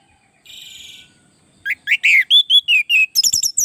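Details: Orange-headed thrush in full song, used to tutor and lure other thrushes into answering; a buzzy held note opens, then a quick run of loud slurred whistles and sharp chirps.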